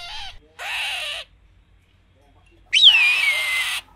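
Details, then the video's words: Two harsh, noisy rasping bursts from an eagle, a pause, then a sharp rising onset into a piercing downward-sliding scream that lasts about one second. "Αετός Ήχος (Eagle Sound)"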